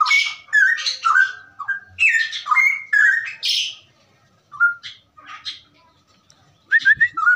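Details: Straw-headed bulbul (cucak rowo) in ropelan song, used as a tutor recording: a dense rush of rich, gurgling whistled phrases, a quiet gap, then scattered short, clear, rising notes.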